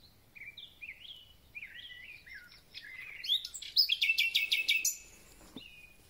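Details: Thrush nightingale in full spring song, the bird only glimpsed: a run of short upslurred whistles builds into a loud, fast, rattling stutter of repeated notes, then a brief whistle.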